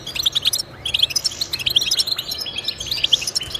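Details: Goldfinch song offered as encouragement for goldfinches to sing: bright, liquid twittering phrases of fast repeated high notes, pausing briefly about every half second before starting again.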